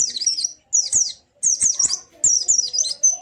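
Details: White-eye song played so that a silent caged white-eye joins in: shrill, very high warbling twitters in four lively bursts, slurred notes sweeping down and up, with a faint low hum underneath.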